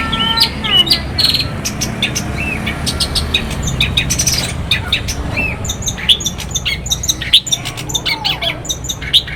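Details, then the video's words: Morning long-tailed shrike song from Banyuwangi, used as a lure to make other shrikes sing: scattered high chips, short squeaky whistles and harsh squawks over a steady low hum and background rumble. "pancingan cendet gacor TERBAIK di pagi hari bikin burung pentet gacor"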